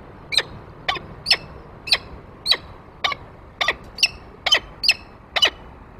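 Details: Male peregrine falcon arriving with prey on the nest grate, 28 February 2023, with the female following: harsh, strained calls repeated about every half second, eleven in a row, over a faint steady background.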